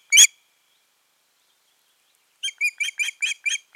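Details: Osprey pair on the nest on 14 June 2019, after nesting failed that year; one loud harsh squeal, a two-second silence, then a quick chain of seven ringing whistled notes.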